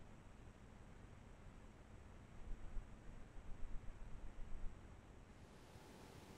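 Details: Quiet low rumbling noise with soft rustling bursts in the middle, and no animal call.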